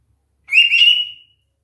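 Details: Pet cockatiels left alone at home, calling for attention: one loud, harsh, slightly rising call lasting under a second, strong and steady with a bright, rich tone, in an otherwise quiet room.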